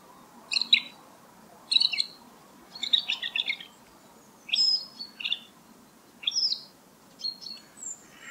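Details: Male great grey shrike song of scratchy, chattering bursts and high squeaky notes separated by brief pauses, some phrases rising and falling, against quiet low background noise.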